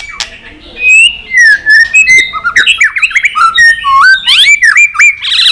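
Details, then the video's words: White-rumped shama in competitive, fired-up singing with tail flicking, in a long, many-voiced wild-style song: clear rising and falling whistles, quick slurred notes and buzzy trills delivered in a fast, varied stream. "chòe lửa tạch đập đuôi kích lửa hót đấu căng lửa.luyện chòe lửa hót nhiều giọng rừng dài"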